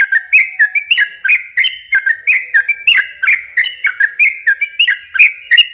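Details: Yellow-vented bulbul giving a sustained chattering song, played to draw in and excite young birds. Dense, overlapping liquid phrases pour out continuously in a bright, bubbly stream.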